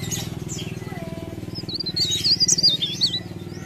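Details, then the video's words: Leaf warbler singing a quick run of thin, high, wavering twittered notes in the second half, above a constant low droning hum. "Cikrak daun Gacor"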